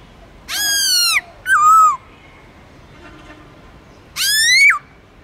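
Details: Black-throated laughingthrush singing long forest-style phrases to coax newly caught birds: a drawn-out falling whistle, a shorter bright note, a pause, then a long rising-and-falling whistle rich in overtones.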